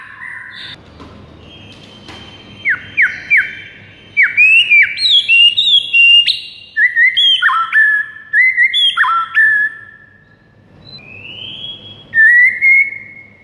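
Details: White-rumped shama morning training song: bursts of loud, rapid whistled phrases that rise and drop, with stepped notes and high accents, broken by a quiet gap before one last rising whistle.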